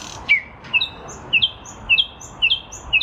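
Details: Nightingale singing in a lilac bush in spring 2023: clear whistled notes that slide downward, given in pairs with a higher faint note, repeated about every half second over soft background hiss.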